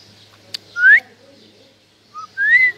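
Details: Pet parrot whistling: two clear rising whistled notes, the second preceded by a short lower note, with a sharp click before the first and a quiet indoor background.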